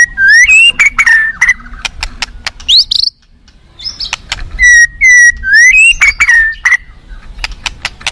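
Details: White-rumped shama from the wild forest whistles smooth, mid-pitched slurred phrases broken by crisp clicks, pauses briefly, then repeats a similar rolling whistled phrase, set against gentle flowing-water noise.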